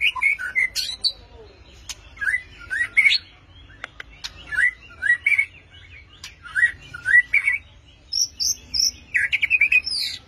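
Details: White-rumped shama song of varied, rich whistled phrases given in short bursts roughly every second, some rising sharply, ending with higher clear notes near the close.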